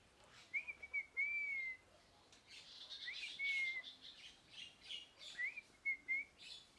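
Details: Parrot giving short, slurred whistles that rise then fall, repeated in three spaced groups. Brief harsh, noisy chirp bursts sound between them over faint background hiss.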